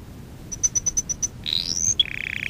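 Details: A canary lesson song for teaching young canaries: seven evenly spaced high pure notes, a rising buzzy whistle, then a lower quick trill of regular pulses.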